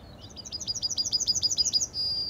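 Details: A yellowhammer sings a rapid run of about a dozen thin, slightly metallic notes, then ends on one high, drawn-out note.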